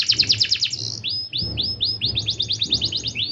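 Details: Lure recording of a singing canary meant to set others singing: a quick rattling trill, then spaced upward-hooked chirps speeding into a fast series, with a low rumbling background noise.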